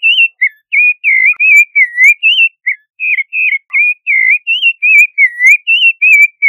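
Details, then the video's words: Loud, close song of the Creamy-bellied Thrush: a continuous stream of crisp whistled notes, each slurred or warbled, delivered nearly three per second with little pause. "Zorzal Chalchalero Canto - Creamy-bellied Thrush Song"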